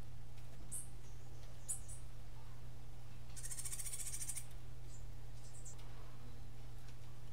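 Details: A Cuban grassquit gives its unusual martillito-style song: a few scattered high chips, then a long, very high, hammering buzz of fast pulses about a second long, followed by soft notes, over a low electrical hum.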